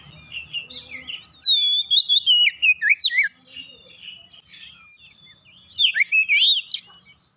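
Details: Oriental magpie-robin (kacer) singing fast and steadily: soft chattering notes give way to loud falling whistles and rapid warbled loops, repeated in two bursts with a quieter stretch between.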